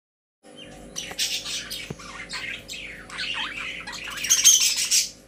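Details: Caged pet budgerigars: after a brief silence, scratchy squawks and warbling chatter build up, with sweeping squeaky notes and a louder shrill burst near the end over a steady electrical hum.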